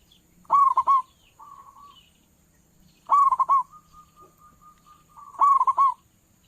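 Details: Indonesian local zebra dove (perkutut lokal) calling as a trapping lure: three loud rolling coo bursts roughly every two and a half seconds, with softer drawn-out notes in between.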